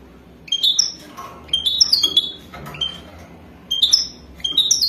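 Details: European goldfinch of the Wadani type, mating context: clustered bright tweets and slurred whistles in four short bursts, each less than a second long, with faint low noise between them.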